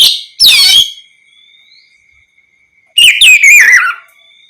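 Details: Oriental magpie-robin song played to provoke other magpie-robins into answering: two loud bursts of rich whistled notes sweeping downward, separated by about two seconds of near silence with a faint steady tone.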